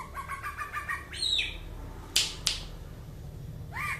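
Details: Leafbird from Aceh singing 'mabok': a quick series of bouncing, arched whistles, then a higher squeaky slur. Two loud slaps follow, and one more curved whistle closes.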